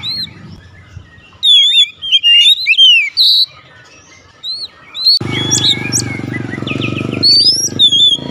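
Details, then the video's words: Kacer (Oriental magpie-robin) in 'nembak' song: varied whistled phrases and slurred notes, with a loud droning hum entering partway through under continued whistles. "kacer langsung nembak"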